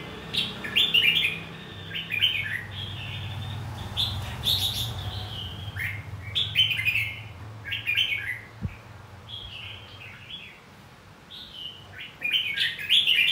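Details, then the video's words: Red-whiskered bulbul fighting song for training caged birds to sing and compete; lively warbled phrases in short bursts about every second or two, with a low background hum and one sharp click. "Luyện giọng hót chào mào. Kích chào mào hót đấu. Kích bổi ra giọng. Kích má trắng hót đấu"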